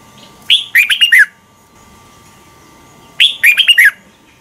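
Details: Lure red-whiskered bulbul giving morning song to train other birds. Two identical lively phrases about three seconds apart, each a sharp upslurred whistle followed by three or four quick warbled notes, quiet between.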